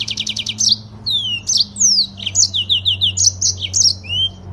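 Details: Long, fast rolling song from a yellow-fronted canary imported from Africa into Indonesia: a quick buzzy trill, then descending whistles and rapid bright chirps, over a steady faint low hum.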